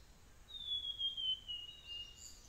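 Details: Blue-and-white flycatcher singing in hot weather: one long, thin, clear whistle drawn out for over a second, sliding slowly downward, with a fainter trailing note and quiet background hiss.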